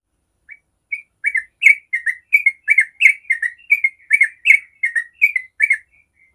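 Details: A long 'ropel' song from a yellow-vented bulbul, a lure to make other bulbuls sing. It starts with one soft note, then builds into a rapid string of warbled chirps before fading.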